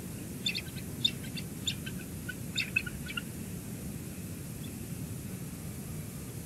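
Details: Bald eagles at a cliff-side nest above the ocean at Two Harbors on 04-26-22, the day a fallen eaglet was rescued and returned to the nest; bursts of short, high, chittering notes during the first three seconds, then quieter, over a steady low rumble.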